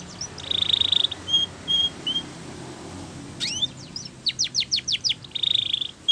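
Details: Spanish Timbrado canary training song: short high whistled notes, a steady buzzy trill, then a run of quick descending whistled sweeps, ending on another level trill over faint background hiss.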